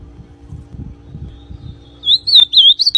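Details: Ultramarine grosbeak of the pied form singing a lot: after two seconds of low background rumble, a loud clear warbled phrase of quick rising and falling whistled notes runs to the end.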